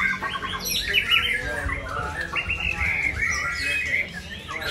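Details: White-rumped shama, a first-time contestant that took first place at a songbird contest, singing a run of clear whistled phrases and quick rolling trills at mid to high pitch over low background rumble.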